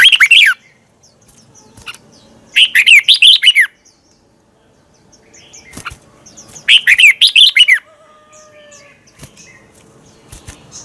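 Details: Red-whiskered bulbul morning song to prompt birds to sing: three short phrases of quick warbled notes spaced several seconds apart, with quiet background between.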